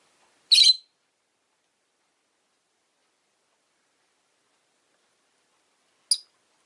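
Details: Caged Rosy-faced lovebird, one of five by a window on a calm afternoon, giving one harsh, buzzy, high chirp, then a long silence before a second, shorter and thinner chirp.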